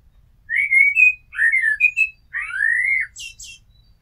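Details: Common blackbird song: smooth whistled notes, rising and falling, a long slurred fluting phrase, closing with a burst of thin high chatter.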